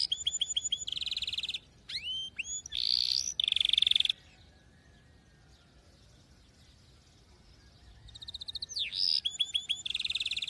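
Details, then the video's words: Canary singing in bursts: bright tonal notes, fast rolling trills and quick downward sweeps, broken by a quiet stretch of several seconds before the trilled phrases return. "غناء كناري لاسكوت ،لن يصمت كناريك عند سماع هذا الوحش Canary Bird singing"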